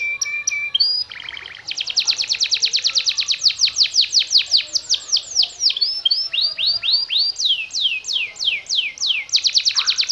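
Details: Yellow canary singing in the konslet style: a few short chirps, then long runs of rapid, repeated sweeping whistles that form fast rolling trills, with quick changes in tempo and pitch.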